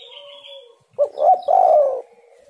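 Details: Spotted dove in full calling, played to lure wild birds: one low, hollow cooing phrase with a short opening note, a brief coo and a longer vibrating coo that trails off. A faint earlier coo and a higher whistle sit underneath.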